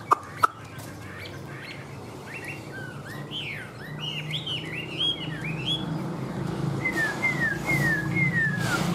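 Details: Caged tame Chinese hwamei: two sharp clicks, then a burst of looping, rising-and-falling whistled notes, ending with four descending whistles in steady succession over low hum.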